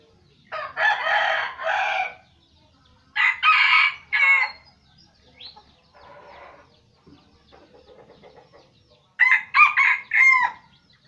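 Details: Red junglefowl from Aceh used as a lure: three loud, harsh, broken crows, each split into two or three bursts, at the start, the middle and the end, with quieter rough calls between them.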